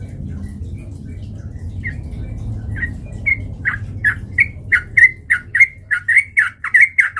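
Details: Sooty-headed bulbul sound meant to provoke fighting, starting with sparse chirps and quickening into a steady, accelerating string of sharp repeated notes, about two per second and then faster.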